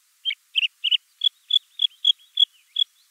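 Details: Bluethroat giving a series of about nine clipped, high, metallic notes, the first few thicker and lower, then evenly spaced thin pips, with silence between each.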